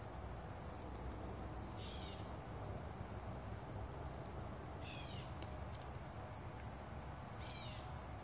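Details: A bird calls in a sunny summer meadow with three short, quick descending chirpy bursts spread across the clip. A steady high insect drone and a low rumble run throughout.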